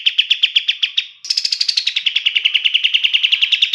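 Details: Kapas tembak bulbul, a master song for training songbirds: spaced chips at first, then a higher note sliding down into a quick, steady rattle of sharp repeated notes at about seven per second.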